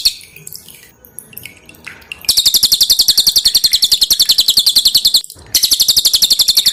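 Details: Pin-striped tit-babbler (cililin) song used as a master recording for training cage birds, loud and dense in character: a short gap of faint notes, then a rapid, evenly repeated run of high chattering notes, about nine per second, with a brief break.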